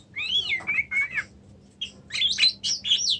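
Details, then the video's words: Oriental magpie-robin in Indonesia: wavering whistled slurs, a short pause, then a cluster of high, scratchy chattering notes, clean and close. "kacer macet"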